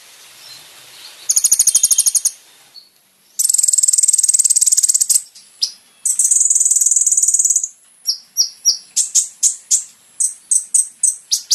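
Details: Kolibri ninja training song for caged birds: long, very high buzzy trills lasting several seconds, followed by a series of sharp, evenly spaced chip notes.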